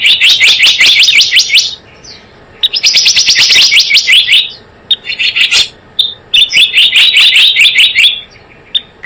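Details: Java sparrow call used to attract birds into traps: four separate bursts of rapid high chirping and clicks, each a second or two long, divided by near-silent pauses with scattered ticks.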